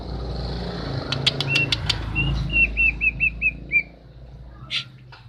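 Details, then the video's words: Female common iora calling to stir a male that has stopped singing: a quick run of seven short, clear, slightly downslurred whistled notes, preceded by sharp clicks, with a steady low hum underneath. "burung cak ijo betina untuk jantan mandek"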